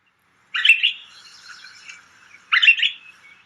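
Pine Grosbeak giving two fluty, whistled warbling phrases about two seconds apart, each trailing off into softer notes; nothing else is heard.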